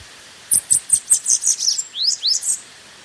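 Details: Bananaquit warm-up song: a clean series of sharp, very high pips, ending in a few downward-sliding thin whistles, all within about two seconds over a quiet background.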